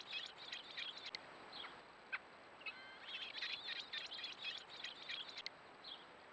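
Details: Begging calls of American robin (Turdus migratorius) nestlings, three in a row being fed insects by a parent: thin, high peeping in rapid, uneven bursts, several chicks calling over one another, with a faint steady hum behind.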